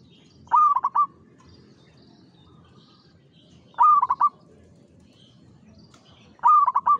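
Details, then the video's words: Local zebra dove, called perkutut and said to sing frequently; three rolling cooing phrases, a sustained note then quick bubbling beats, spaced roughly three seconds apart above a faint low hum. "SUARA PERKUTUT LOKAL GACOR"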